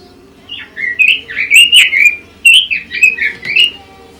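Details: Pekin robin song: a string of rising and falling whistled notes, rich and slurred, broken by a short pause midway before resuming in bouncy phrases; faint background hum.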